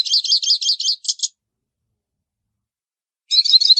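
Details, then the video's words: Hooded siskin giving a run of repeated, rising chirped notes, then silence, then the start of a fast high twittering phrase. "canto do pintassilgo baianinho"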